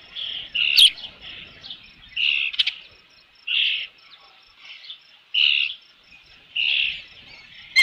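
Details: Osprey at its nest with a fish, Dunrovin Ranch, 3 June 2018, late afternoon: a series of clear high whistled notes, roughly one per second, with soft chirps between them and occasional clicks.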